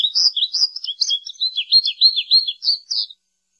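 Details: American goldfinch song: a rapid, rambling run of high twittering notes, sweet slurred chirps rising and falling without pause for about three seconds, then silence.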